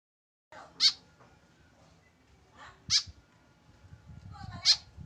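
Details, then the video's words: Three harsh, high, buzzy notes come from a tame white-breasted woodswallow kept without a companion, roughly two seconds apart, with softer squeaky sounds and low rumbling noise around them. "KESEDIHAN BURUNG KEKEP BABI TANPA TEMAN"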